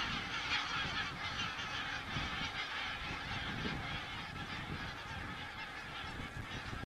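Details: Geese on an Estonian crane cam, 27 September 2017: a continuous chorus of many honking birds, calls tumbling over each other rapidly, louder at the start, with background rumble.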